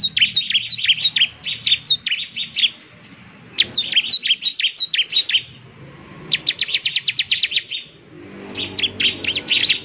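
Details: Bar-winged prinia in energetic 'gacor' song meant to make other prinias answer: four bursts of rapid high chirps, one a fast buzzy trill-like run, separated by brief pauses, with faint low hum beneath.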